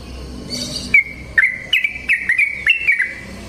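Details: Wild yellow-vented bulbul singing in natural surroundings: after a second of faint background, a string of clear, bubbly whistled notes at a steady mid pitch, rising and falling slightly, about eight phrases in quick succession.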